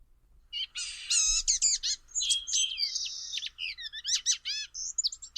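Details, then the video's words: Blue-gray Gnatcatcher at Dogwood Canyon preserve, Cedar Hill, Texas, sings a thin, high, rambling warble of squeaky, buzzy and mewing notes, fast and varied, in bursts over about five seconds. "The song is also a unique combination of warbling and whining that somehow becomes a musical melody when put together. [Music]"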